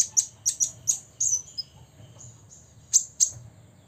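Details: Six-year-old olive-backed sunbird singing to provoke rivals: sharp high chips in pairs, a brief lower whistle, thin drawn-out notes, then two final chips.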